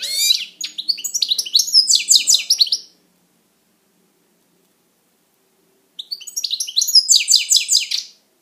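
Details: European goldfinch kept as a pet, singing two long, fast phrases of bright, jangling twitters and short trills, separated by about three seconds of silence.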